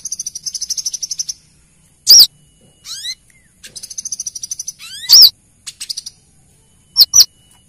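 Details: Brown-throated sunbird, a female calling the male, as a lure sound: rapid high trills broken by loud, sharply arched notes and upward buzzy sweeps, the pattern repeating about every three seconds.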